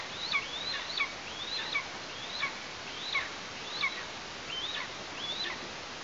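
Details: Female Eastern imperial eagle nestling Ursala at a nest in Tatarstan on 16 August 2023, as her sibling enters the nest and the parents bring prey: thin, high squealing notes that rise then drop, every 0.7 seconds, over a faint hiss.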